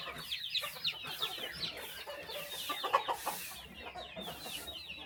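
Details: Flock of chickens being fed in the morning on a small countryside farm, a steady stream of high, twittering, downward chirps with occasional lower clucks mixed in.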